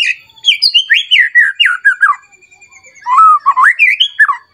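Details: Agitated White-rumped shama singing emotionally as if searching for a rival and unloading its rich repertoire. Loud, varied whistled notes slide up and down in quick succession, with a short pause before a second burst of rising and falling whistles.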